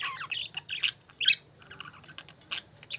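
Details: Several budgies chirping: rapid warbling chatter of short squeaky notes and buzzy chirps, dense at first, then sparser, over a faint low hum.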